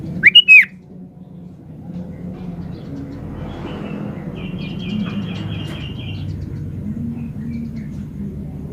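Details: Sooty-headed bulbul in full song: a loud, quick, fluty phrase at the start, then a softer, rapidly repeated thin trill a few seconds later, with low droning background noise throughout.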